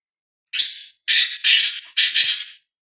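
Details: Black francolin (kala teetar), a kept bird calling and in high spirits, giving a harsh, grating call in four loud rasping bursts over about two seconds, the last two close together.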